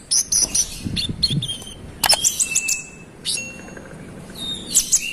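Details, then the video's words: Konin song delivered to provoke other konin: scattered sharp high chirps, short trills and drawn-out thin whistles, with some low background rumble and knocking. "KONIN GACOR ROLL NEMBAK NGOTOT Buat konin lain emosi"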